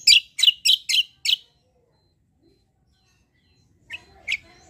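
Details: Singing white-eye, kecial kombo style, used for tutoring: five quick loud harsh chirps in a burst, a silent gap, then two more sharp notes.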